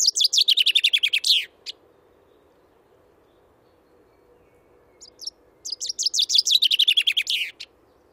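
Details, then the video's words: Two full songs from a common chaffinch in the Wittlicher Tal in 2018, each a cascading trill of crisp high notes finishing with a flourish, separated by roughly four seconds of quiet low hum. "Buchfink 2"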